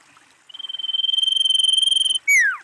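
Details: Lure call of a female common iora: a sustained, high, finely pulsed trill growing steadily louder, ending in a single loud whistle that slides steeply down in pitch.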